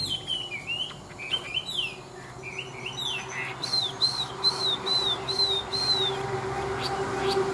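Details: Hwamei, a large former wild bird kept for fighting contests, gives a series of quick high slurred notes, then a steady run of six repeated downward whistles, with faint background hum.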